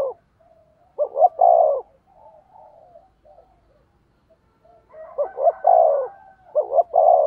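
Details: Decoy spotted dove competing in song to lure wild doves; loud three-note coos of two short notes and a long falling tail, separated by faint low murmurs of a distant dove.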